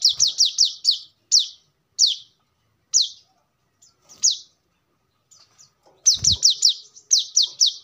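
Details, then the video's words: Brown-throated sunbird singing for use as a lure or training song: brisk bursts of high downslurred chips, then sparser single notes, with a brief low thump before a final rapid chip series. "kolibri kelapa | manggar | wiceh | tidak disangka burung receh segacor ini untuk pancingan |masteran"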